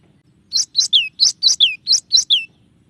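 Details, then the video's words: Varied song of a cinereous tit: about eight quick two-part notes, each a sharp high chip sliding down into a falling whistle, delivered in a brisk rhythmic run over faint low hum. "suara burung glatik batu bervariasi"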